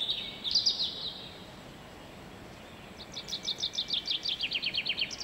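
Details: Common chaffinch singing in a garden on 23 February 2016: a bright, high phrase, then after a pause a rapid run of about a dozen sharp notes tumbling downward in pitch, over faint hiss.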